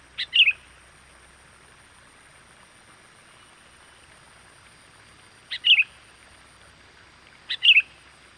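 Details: Lure call of a sooty-headed bulbul for bringing wild birds closer: three short phrases, each a brief sharp note and a quick warbled twist, spaced several seconds apart over a faint hiss.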